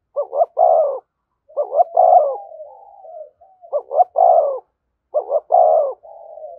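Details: Spotted dove calling in the thúc gù style close to a decoy bird: paired short hooting notes run into a fuller, deeper coo, four phrases in under seven seconds, with soft wavering coos trailing between them.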